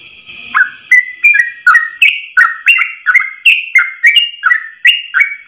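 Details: Yellow-vented bulbul (trucuk) singing a long ropel song in one breath, used as a master recording for training trucuk birds: a fast run of about fourteen bubbly, slurred whistled notes jumping up and down, each with a sharp high click.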